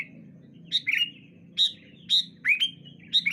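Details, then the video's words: Sooty-headed bulbuls trading calls in the morning, a few spaced bright chirps, each falling into a brief ringing whistle, with a soft low rumble underneath. "Suara Burung Kutilang Saut Sautan ... Dijamin Langsung Nyaut Burung Anda"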